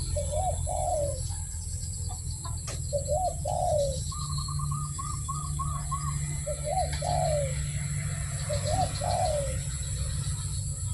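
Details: Barbary dove cooing melodiously amid steady low rumbling background noise: short paired rising-falling coos in a loose series, with another bird's rapid twittering trill in the middle.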